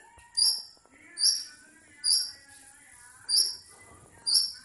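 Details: Long-tailed shrike, a village blangkon type, singing while wanting to mate: five sharp, bright high bursts about a second apart, each with a short lower rasping tail, over softer warbling notes in the background.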